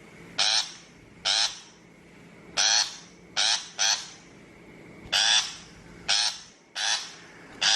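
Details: Shrike lure calls for trap speakers: loud, scratchy, noisy notes about a quarter second long, some single and some paired, roughly ten in under eight seconds, over a soft steady hum.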